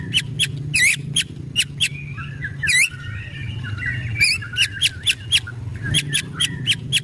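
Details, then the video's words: White-rumped shama giving an agitated ketrekan alarm call: harsh, dry clicking chatter notes in short bursts, some doubled, spaced irregularly, with a faint warbling thread between bursts and a low background hum. "ketrekan murai emosi"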